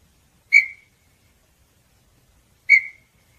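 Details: Small-billed tinamou (Crypturellus parvirostris) song: two clear, mid-pitched whistled notes about two seconds apart, each short and slightly fading, against a quiet background.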